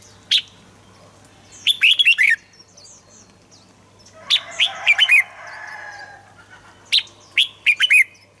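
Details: Red-whiskered bulbul, a recording used to excite birds and train them: three bursts of quick bright chirped phrases roughly every two to three seconds, each ending in rapid bouncy notes, with soft background twittering.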